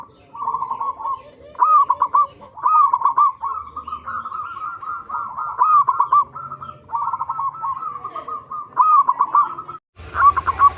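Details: Local zebra dove singing steadily as a lure for other zebra doves: continuous series of stuttered, rolling coo phrases over about ten seconds, ending in a brief burst of harsh noise.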